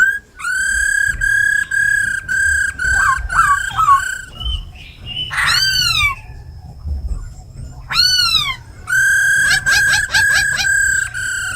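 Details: Tame laughingthrush singing forest style with a female's ro khẹt calls, played to stimulate newly caught birds. Repeated held whistles with brief gaps, a harsh squawk near the middle, arching downslurs, then more held whistles.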